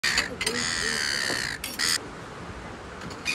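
A gull gives harsh, nasal squawks in three or four bursts, the longest about a second, with what may be faint voices underneath.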